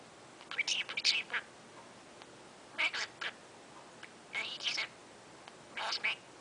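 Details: A 34-week-old male pet bird named Mango, talking at about 6:50 am on top of his cage, chatters in four short bursts of bright, raspy, speech-like syllables with quiet gaps, saying phrases like "I love you Mango".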